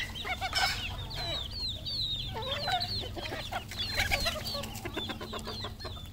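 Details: Decoy red junglefowl kept locally, calling in quick high chirps and curved clucking notes that come in loose bursts, with several birds overlapping against a constant low hum.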